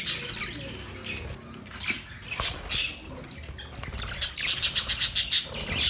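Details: Budgerigar mating call: scattered chirps and squawks, then a rapid run of about eight bright, evenly spaced high chirps near the end.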